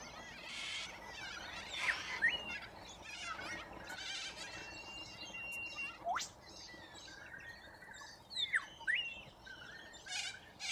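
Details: A large flock of corella cockatoos feeding on root grass in Australia, giving harsh, raspy screeches in overlapping bursts, with a few sharp whistled notes and one rising squeal near the middle.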